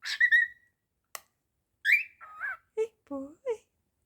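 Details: Talking male pet cockatiel indoors mixing a bright rising whistle with raspy, speech-like syllables and short lower chirps, the bursts coming irregularly over a few seconds.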